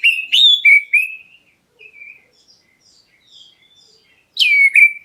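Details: Black-breasted oriental magpie-robin giving its provoking call to draw replies from other birds: a burst of loud, clear whistles sliding downward, then faint quiet twitters, then another strong descending whistled note.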